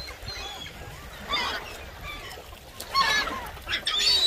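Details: Gulls at Marine Point on Lake Springfield on January 29, 2023: loud harsh squealing calls in bursts around 1.4, 3 and 4 seconds over steady background noise.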